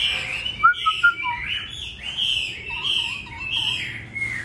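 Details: Singing laughingthrush in the 'Bắt cô chói cột' style. Bright whistles and a few sharp notes open the passage, followed by a long slurred warble and then four soft, looping whistled notes near the end.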